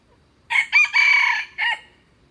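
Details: Red junglefowl crowing loud and close: four bursts in a short-short-long-short pattern, the drawn-out third note held nearly half a second before a clipped final note, over a quiet background.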